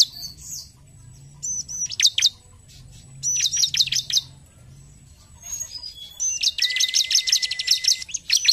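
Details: A Bar-winged prinia, used as a lure recording to stimulate prinias to sing, gives bursts of sharp, high chips, then a fast run of ringing notes near the end, over a faint low hum.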